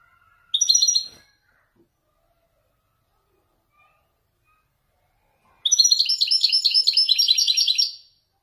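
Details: Captive Wedani goldfinch from Morocco showing off authentic Marrakchi song phrases: a brief sharp twittering fragment, a long quiet gap, then a sustained two-and-a-half-second stretch of fast, bubbling, metallic chirps.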